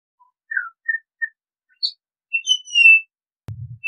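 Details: Pied Butcherbird piping a few short, well-spaced whistles, a higher clipped note, then a long bright sliding whistle, followed by a low dull thump.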